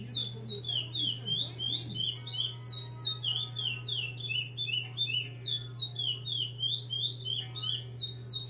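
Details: Steady stream of short whistles from a chestnut-bellied seed finch in repetidor style, each note dropping in pitch, repeated in rhythmic runs of three to four notes per second, with a background hum throughout.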